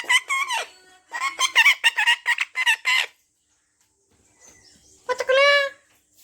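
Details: Talking parrot said to be swearing: a quick string of harsh, speech-like syllables, then a pause and one longer drawn-out vocal sound.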